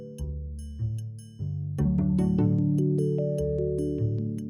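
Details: Mallet percussion music with chiming glockenspiel-like notes over sustained low tones; no animal sounds heard.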